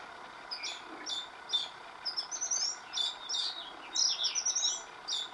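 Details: Oriental magpie-robin singing, recorded over several days with a new tune each day; a quick series of high chirps and whistles, growing denser and louder toward the end.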